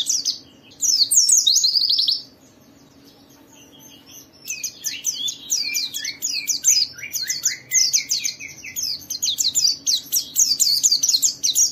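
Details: White-eye song for provoking other white-eyes to sing: a short high chattering burst, a quiet spell of about two seconds, then long rapid sequences of falling twittered notes.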